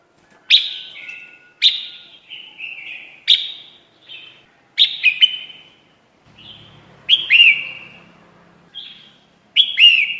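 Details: Lure call of red-whiskered bulbul for bird trapping: loud, sharp whistled chirps falling in pitch, repeated about every one to one and a half seconds, each trailing into softer warbled notes.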